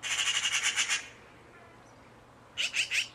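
A magpie gives a harsh, rattling chatter: a fast run of about eight dry notes, a pause, then three more grating notes.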